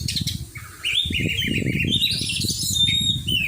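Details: Oriental magpie-robin in song training, giving a flowing string of sweet whistles and slurred notes over a steady low rustling and thumping background.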